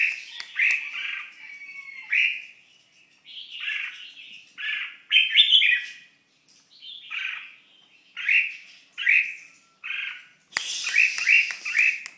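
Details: Red-whiskered bulbul singing while moulting: bright warbled phrases in short bursts about a second apart, with a louder chattering flurry near the end.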